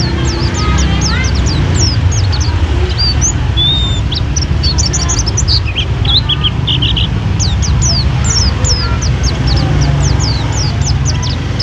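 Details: Long, full-fill song of a stall-kept Mountain white-eye: streams of quick, thin, high whistles, some in tight clusters, continuing almost without break over a steady low drone.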